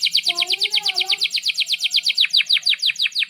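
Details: An energetic canary in breeding excitement, its song used as a model for young canaries learning to sing, delivers a long even trill of repeated notes that gradually breaks into slower, separate descending chirps.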